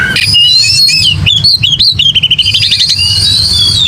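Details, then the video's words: Oriental magpie-robin giving an aggressive fighting song: loud, rapid whistled phrases sliding high and low, sweet notes mixed with quick chattering bursts and a sustained high trill near the end. "AGRESIF!!! KICAU KACER TARUNG NGOTOR"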